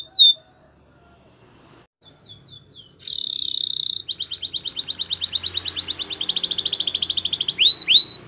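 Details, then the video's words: Timbrado canary of Spain singing a training song: after scattered short notes and a pause, a buzzy burst leads into a long rapid rolling trill ending in loud downslurred whistles. "The Best Timbrado Canary Sounds !! Suitable For Timbrado Canary Training"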